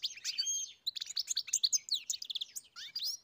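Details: European goldfinch delivering a busy, jangling song of rapid chirps, liquid twitters and short trills, with one brief pause before the stream of notes resumes.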